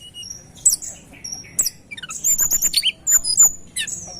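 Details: Tledekan gunung heard in a lure recording: sharp high chips, then a quick falling series of whistled notes and rapid twittering phrases.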